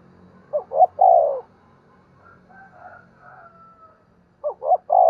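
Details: Decoy spotted dove giving morning lure calls for wild doves; two low coo phrases, each a short broken double note then a sustained rolled coo, separated by a quiet gap with faint distant sounds.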